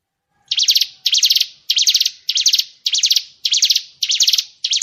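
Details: Master recording of murai batu 'isian tembakan' for training songbirds: a steady series of eight rough, buzzy rattles, each about a third of a second long, repeated roughly every 0.6 seconds after a brief silent start.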